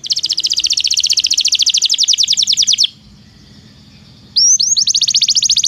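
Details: Belgian canary song for training canaries that do not sing: a long rapid high trill of repeated notes for nearly three seconds, a pause, then sweeping upslurred notes leading into another fast trill.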